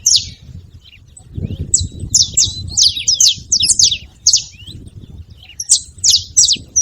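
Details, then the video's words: Wild saffron finches at a feeding station, loose and free, giving scattered bursts of shrill falling chirps in irregular clusters, with quieter gaps and a low murmur in between. "Canarinhos da terra livre na seva fazendo barulho"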